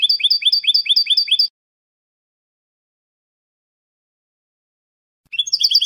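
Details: European goldfinch, Spanish salon song (canto de salón, canto al eco) on a training recording: a quick run of paired high twittering notes, nearly four seconds of silence, then the rapid trill begins again. Quiet background.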